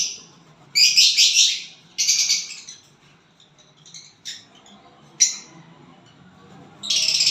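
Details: Violet bird that has found a partner, singing and chirping: loud, scratchy high chatter in bursts about a second long, then a few soft short chips, a sharp single note, and another buzzy burst.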